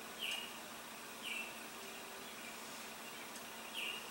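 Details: Male Baltimore oriole singing at Niagara, giving three brief whistled notes spaced roughly one to two seconds apart against constant hissing background noise.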